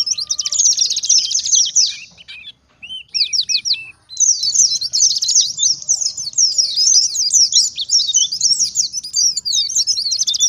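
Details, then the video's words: Lively forest-type oriental white-eye song, used to make other white-eyes respond and as a training model for young captive birds. High buzzy trills break off, a few separate chirps follow, then a long unbroken stream of sharp, tumbling twitters. "BURUNG PLECI gacor ngalas nembak || PANCINGAN PLECI NGALAS"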